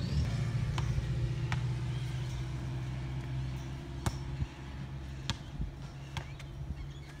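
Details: Steady low vehicle rumble with scattered sharp clicks and knocks, and no animal voice heard.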